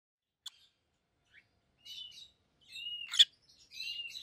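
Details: Pair of pet rosy-faced lovebirds, one yellow and one green, both red-headed: sparse short chirps and a few thin whistled notes near the same pitch, with long quiet gaps between them indoors.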